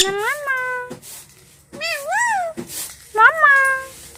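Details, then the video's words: Three mimicked words from a pet talking parrot, each with a rising onset and a held or wavering tone, separated by short pauses and faint clicks. "Talking Parrots"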